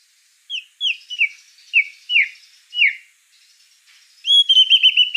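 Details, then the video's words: Gacor white-rumped shama sings six clear, downslurred whistles spaced roughly every half second, falls silent briefly, then launches into a fast, buzzy burst of high notes. "Suara kicau burung murai batu gacor"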